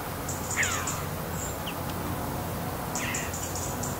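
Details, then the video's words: Red-billed chough uttering a single harsh, descending chirp followed later by a fainter, buzzy call, over constant low rumble and soft high-pitched twitters from small birds. "RED BILLED CHOUGH CHIRPING SOUND suara gagak paruh merah"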